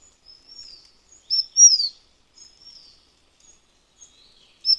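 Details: Taiwan Fulvetta, endemic to Taiwan's high mountains and wintering at mid altitudes, uttering high thin whistles, soft drawn-out notes and one loud downslurred phrase, with a short sharp note at the end.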